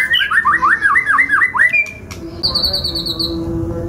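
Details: White-rumped shama, F5 class bird with kasaran filling, gives a quick series of about eight swooping down-slurred whistles, a brief pause, then a high fast buzzy trill with a steady lower hum beneath.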